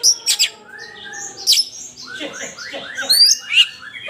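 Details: Oriental magpie-robin singing in full voice while fighting, with shrill high notes, a long thin whistle, then a tumbling jumble of quick slurred and trilled phrases.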